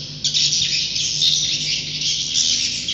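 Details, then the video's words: Roosting chatter of swiftlets, a thick wash of rapid, buzzy high chirps that starts abruptly and runs without pause over a faint low hum. "Suara Inap Walet"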